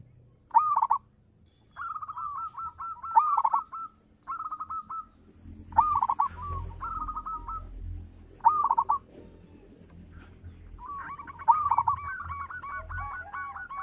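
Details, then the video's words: Local zebra dove, a frequent singer with a big voice, delivering bursts of stuttering cooed notes that run into rolling trills, separated by short silences. Crackling noise accompanies the louder phrases and a low hum lies underneath. "Perkutut lokal gacor - SUARA BESAR MEWAH"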